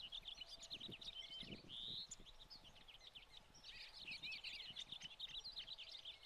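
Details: American goldfinches, summer plumage, feeding on sunflower hearts alongside some pine siskins in spring 2020. A continuous high chorus of chattering chirps and twitters, with one longer rising whistle and light background rumble.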